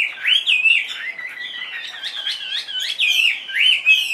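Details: Caged Chinese hwamei, tamed, spreading its tail while singing: clear, loud whistled phrases that wander up and down, mixing long slurred notes with quick inflected twists.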